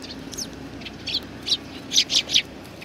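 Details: At a Tenmangu shrine on 19 April 2019, Eurasian tree sparrows gather to feed. Faint early chirps lead into a closer burst of three quick, high, sharp chirps near the end.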